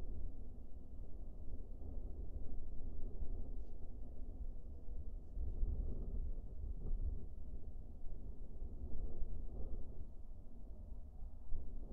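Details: Only a steady low rumble of wind or distant traffic, with no animal calls.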